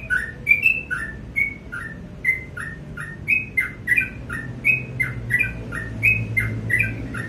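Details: Sooty-headed bulbul in the morning, delivering a steady chain of clear whistled notes alternating between a higher slurred tone and a lower downslurred one, against a low background murmur.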